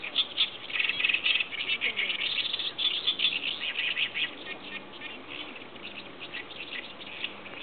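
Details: Oriental reed warbler song within a chorus of other birds: a long, vigorous sequence of rough, buzzy chirps delivered about four per second, loudest early and gradually quieter toward the end.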